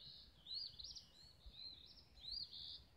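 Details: Birds singing at sunrise on a lane in Olivehill, Tennessee: high, bright chirped phrases in short bursts, rising and falling, over a faint low rumble of background noise.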